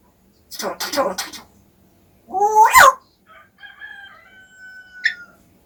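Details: Pet parrot whose pronunciation is said to be getting better: a raspy spoken-sounding phrase, then a loud rising sweep and a few thin, steady whistled tones.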